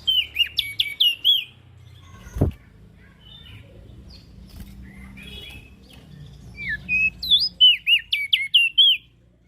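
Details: Ashy prinia calling nonstop, used as a bait sound for small birds: two quick runs of sharp, down-slurred chirps framing a quieter stretch with a single loud click and background hiss.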